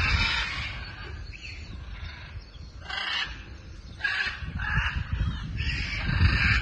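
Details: Scarlet macaws flying at Paradise Park in Hayle, Cornwall, giving harsh, raucous squawks in short broad bursts roughly every second, set against a steady low rumble of wind.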